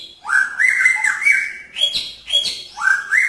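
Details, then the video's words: Male magpie-robin in a pairing cage trying to draw a female's attention, singing loud, flowing whistled phrases broken by several sharp up-and-down swoops, roughly every half second near the end. "Murai Jantan Menarik Perhatian Murai Betina dalam Kandang Jodohan"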